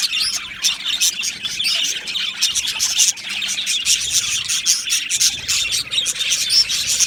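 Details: Many Australian budgies chirping together in an aviary colony on 12 July 2025, a busy stream of short, sharp, high tweets and rapid clicks layered over soft warbling.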